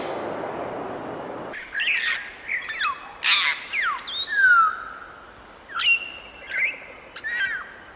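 Grey parrot giving a varied run of clear whistles, rising and falling sweeps, and short harsh squawks, after a brief opening burst of rushing noise.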